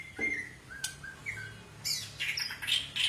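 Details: White-rumped shama, Medan long-tailed form: soft whistled notes early, then bursts of harsh, high squawky chattering toward the end, with faint hum behind.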